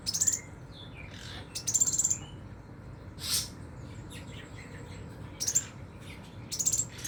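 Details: Scarlet minivet singing in a sharp 'nembak' style: brief, very high, thin bursts of rapid notes recur every one to two seconds against a steady low background hum.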